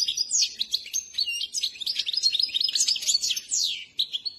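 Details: Trained Himalayan goldfinch, known as saira, singing. A rapid, continuous tinkling twitter of high chirps and short slurred notes runs without pause.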